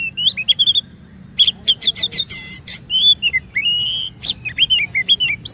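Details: Oriental magpie-robin song used as a lure to coax other magpie-robins into long phrases and varied mimicry; rich whistled phrases with rapid clicking trills and sliding notes, in bursts separated by short pauses, over faint low hum.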